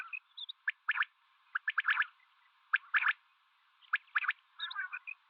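Common quail giving sharp, liquid three-note phrases, 'whit wit-wit', repeated about once a second, with softer chattering notes near the end.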